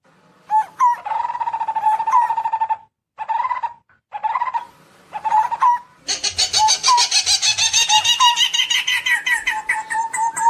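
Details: Barbet calling its flock to feed on ripe fruit: a fast, even trill of mid-pitched tonal notes in bursts broken by short gaps. It ends in a denser, harsher stretch of rapid, rich notes.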